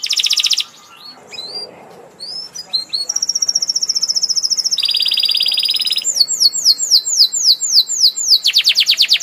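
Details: Canary song starting with a dense buzzy burst, a pause with faint chips, then a long even high trill, a lower trill, rapid downslurred sweeps and a final rattling buzz.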